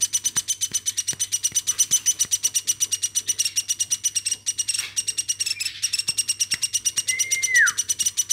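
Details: Hand-reared woodpecker kept since it was a baby, chattering nonstop: a fast series of scratchy, buzzy notes close to three a second, near the end joined by a long whistle that falls in pitch.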